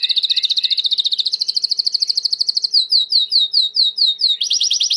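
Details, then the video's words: Timbrado canary, a white bird, in clean song for training: a fast even rolled trill, then slower separate downslurred notes about six per second, ending in a quick high trill. "Chant de Canari timbrado / the wonderful sounds of canary bird chirping / canario timbrado cantando"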